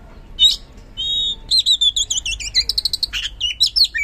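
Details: Oriental magpie-robin song meant to trigger other birds into singing: a short sharp note, a thin drawn-out whistle, then a quick series of repeated looping whistles and bright chips.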